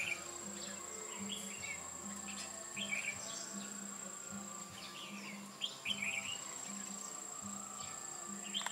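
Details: Trapping of red-whiskered bulbuls, 8 October 2017: a bulbul sings a series of short whistled, chattering phrases spaced every second or two, over a persistent high insect drone and an on-off low hum.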